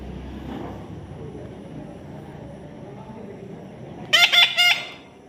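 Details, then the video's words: Baby parrot in the taming process, quiet at first, then letting out a quick run of three harsh, buzzy screeches near the end. "natural funny parrot sound"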